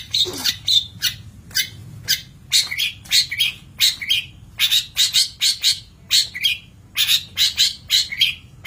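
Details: Training master of long-tailed shrike song: a dense, chattering series of harsh, buzzy bursts in tight clusters of two or three, nearly continuous across nine seconds, over a faint low hum.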